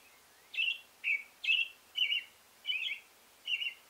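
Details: American robin, male, singing six warbled whistled phrases at a steady half-second spacing, some phrases slurred and slightly burry, against quiet background.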